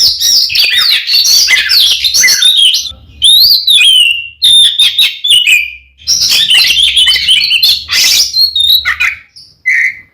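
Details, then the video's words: Oriental magpie-robin pouring out a frenzied fighting song to provoke rival males: dense harsh chatter mixed with clear whistles, a pause, a second rapid burst, then a lone short whistle at the end. "SUARA BURUNG kacer gacor NGEPLONG tarung ini AMPUH buat PANCINGAN KACER agar EMOSI"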